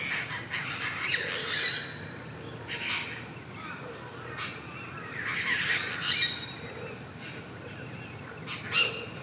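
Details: Apostlebirds (Struthidea cinerea), Australian mud-nest builders, at their mud nest; harsh, scratchy broadband calls in irregular bursts with rasping squawks, plus thin whistled notes from other birds and faint background hiss.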